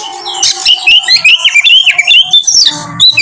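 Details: Kacer (Oriental magpie-robin) singing as a lure for another bird to show its repertoire: a rapid string of clear, warbling whistled notes that rise and dip, roughly two per second, ending in a sharp high flourish.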